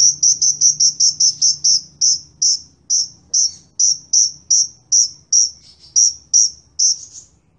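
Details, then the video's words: Sunbird in a lively match of two kinds of sunbird: a steady run of about eighteen sharp, high chips, evenly spaced and slowing slightly toward the end, over a faint low hum. "KOLIBRI NINJA VS KOLIBRI WULUNG SUPER GACOR"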